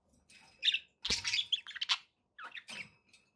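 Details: Pet parakeets producing a few quick bursts of buzzy, scratchy chirps and squeaks, a louder cluster in the middle, then a short quieter chirp.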